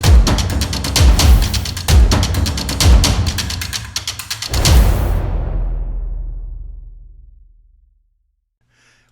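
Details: Deep booming drum or timpani hits with a rumbling roll that fades into silence; no animal voice is heard.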